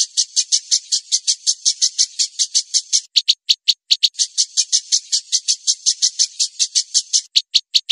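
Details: White-rumped shama in a training track of rough song for other songbirds: an even series of rapid, buzzy, high chattering notes, about three per second for several seconds, with a brief break of spaced notes before the run resumes.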